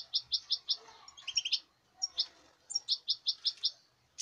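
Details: European goldfinch from this season's latest breeding, 5 August 2019: quick runs of evenly spaced, bright repeated notes, four or five in a row, broken by a brief buzzy trill, then repeated.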